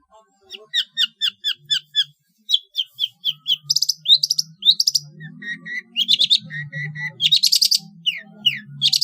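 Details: Long-tailed shrike song from a competition-bird training recording: steady series of clear repeated whistled notes, shifting into buzzy chattering phrases and rasps, over a low droning hum.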